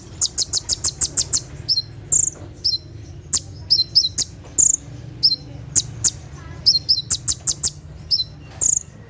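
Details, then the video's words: At night a brown-throated sunbird (kolibri ninja) rattles off 'tembakan' phrases. Fast series of piercing high ticks alternate with slurred double chirps, repeating in clusters throughout. "SUARA TEMBAKAN KONIN SAAT DIMALAM HARI"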